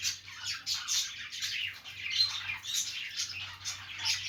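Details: Budgies making a happy playing sound: rapid, scratchy warbled chirps rising and falling in short waves, almost without gaps, over a faint low hum.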